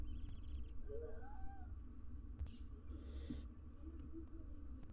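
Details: Inside a nest box holding wild barn owl parents and their three nestlings, recorded on a live cam: rapid ticking chatter, a faint tonal note, then one strong breathy hiss, with low background hum.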